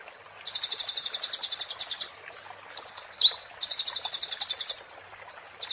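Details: Oriental white-eye, 'muntah beling' style tutor song for magpie-robins and shamas: two long, fast, high-pitched trills of sharp glassy notes, separated by short whistles and downslurred chips.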